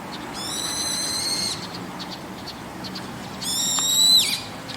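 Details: Brown-eared bulbul calling in the evening from a roof: two drawn-out, shrill, harmonic-rich calls about three seconds apart, the second ending in a sharp downward slur, over quiet background hiss.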